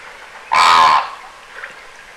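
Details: Greater flamingo, immature, calling in winter at the Aiguamolls Natural Park in Spain, 25 January 2022: a single loud, nasal, goose-like honk lasting about half a second, with quieter bird murmur in the background.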